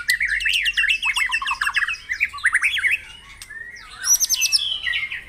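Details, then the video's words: Caged White-rumped shama song from a morning dewing session, played to stimulate caged birds to sing energetically; fast varied whistled phrases of rising and falling notes, a brief pause, then high, sharp repeated whistles near the end. "Pengembunan Pagi memancing Cepat gacor dan bunyi"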